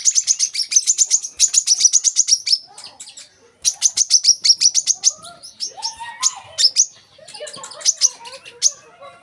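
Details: Olive-backed sunbird, locally kolibri manggar, a tutor recording for young birds: fast runs of high, bright chirps, then looser scattered notes and softer lower twitters toward the end.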